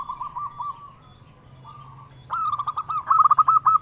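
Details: Local zebra dove song meant to prompt caged doves to sing: faint soft coos at first, then a louder run of quick rolling cooing notes at an even pitch, with a constant high whine in the background.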